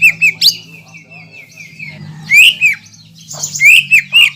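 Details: Loud song of a greater green leafbird, meant to provoke other green leafbirds into singing: a few sharp notes, a long steady wavering whistle, then emphatic swooping whistled phrases with scratchy overtones.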